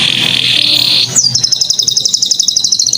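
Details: Canary song used as a master recording to prompt other birds, including young birds and females or males, to sing: a steady high whistle, then a fast, even trill of rapid repeated high notes.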